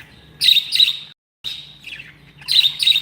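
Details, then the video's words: Pet budgerigars said to be happy, giving loud paired shrill chirps in two bursts either side of a silent break, with softer warbling between and a low hum in the background. "Happy budgies | Happy budgies sound"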